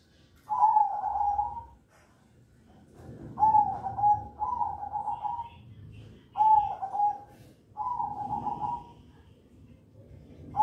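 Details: A crossbred ("crossing") zebra dove (perkutut) gives soft, mid-pitched cooing phrases: a clipped opening note, then a rolling, trilled coo, repeated about every two to three seconds over a low background murmur.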